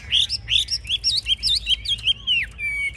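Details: A caged Chinese hwamei sings while showing off with lifted wings and fanned tail; clear, rapid series of ringing whistled notes about six per second, each swooping up and down, ending on a held flat whistle.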